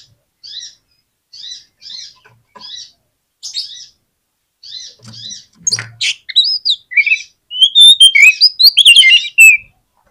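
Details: Oriental magpie-robin singing to draw a response from a lazy magpie-robin. Soft buzzy chips repeat about once a second, then build into a loud, fast jumble of whistles and harsh notes.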